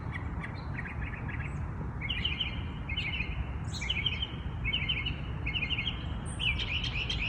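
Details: Early-morning bird chorus outdoors: a bird repeats a short rattling, buzzy phrase roughly every second, while other birds add high thin notes and twitters over a low background hum.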